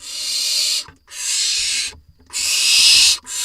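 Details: Rasping barn owl hisses from an Israeli nest box on 4 July 2021, while adults bring voles to the nestlings; three long breathy bursts, each close to a second, separated by short silent gaps.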